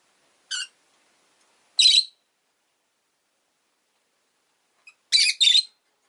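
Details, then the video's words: Chirping rosy-faced lovebird during a leisurely afternoon, giving short, shrill, grating chirps spaced a second or more apart: one thin call, one louder rasp, then a quick double chirp, with quiet between. "Lovebird Chirping Sounds"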